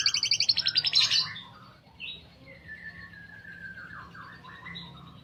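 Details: Canary finishing a fast high rolling trill in the first second, followed by quieter thin whistled notes and slurred calls at lower pitch.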